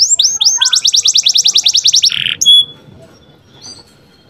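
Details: Lively canary singing meant to stir other canaries and bring females quickly into breeding condition, also used as a tutor for young birds. Rising whistled notes lead into a rapid high trill, a short buzzy note, then a thin whistle before quiet.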